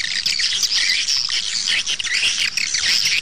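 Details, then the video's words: Swiftlets calling on a playback track used outside nest houses to draw birds in: constant high-pitched twittering with thin whistled notes woven through the dense chorus. "เสียงเรียกนกแอ่น 2 (เสียงนอกดึงนก)"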